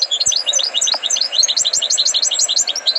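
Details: A tutored European goldfinch delivers rapid, unbroken twittering: bright, quickly repeated high chirps and trills with slight pitch swoops, running through the whole stretch above a faint background hum.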